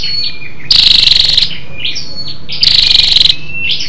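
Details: Female scarlet-backed flowerpecker calling to stimulate males, a lure call: two loud, harsh, rapidly pulsed rattling bursts about two seconds apart, with thin high twittering notes in between.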